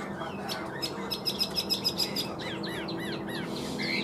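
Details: A tame caged Chinese hwamei sings a rich, varied run of clear whistles, sharp repeated notes and slurred phrases over a steady background hum.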